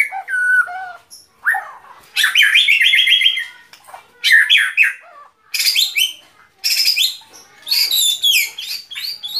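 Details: White-rumped shama delivering short, separate phrases with quiet gaps between them, each a dense mix of whistled slurs, chattering trills and harsh, buzzy high notes.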